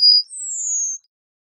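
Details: Yellowhammer song ending: a short steady high note followed by a long, thin whistle that falls gradually in pitch and fades out.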